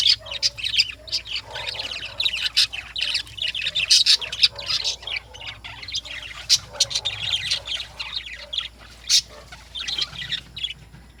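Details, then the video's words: Lovebirds at morning time keep up an unbroken, busy chatter of shrill squeaks, clicks and harsh squawks, many birds calling at once with scattered louder peaks. "Lovebirds || Morning Sounds"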